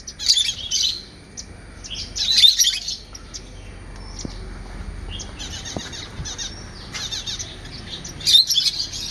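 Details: Parrots and parakeets chirping in bursts of high, dense twittering, with loud clusters near the start, middle and end separated by quieter stretches of faint chatter and light background hiss.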